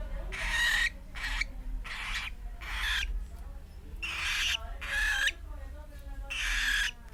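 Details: Cockatiel chick of almost four months making an odd, persistent noise once its cage is opened: short scratchy bursts with faint whistled edges, repeated in an uneven rhythm, with quiet room noise between.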